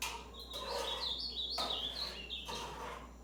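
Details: Caged ultramarine grosbeak on its first outing in a tournament cage delivers a quick run of warbling whistled notes, rising and falling in short steps, with faint thumps and a low background hum.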